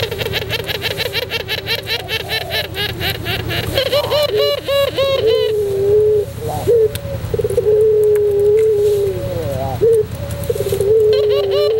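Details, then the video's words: Tutor recording of a white puter pelung dove singing, with fast, busy chirps from other birds filling the first seconds. Then come several low, trilled coos, each ending in a drawn-out, slightly falling tone, over a constant low hum. "masteran puter pelung putih manggung"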